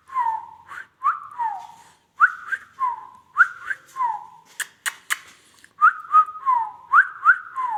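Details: Indian ringneck parrot repeating a melodic whistled phrase of rising and falling slurred notes, about three per second, broken midway by a few sharp clicks, then resuming the same tune.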